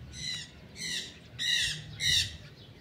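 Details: A pair of free-living blue-winged macaws eating pitanga fruit together, preening and billing each other; four loud harsh grating squawks about half a second apart, each rough and strongly banded.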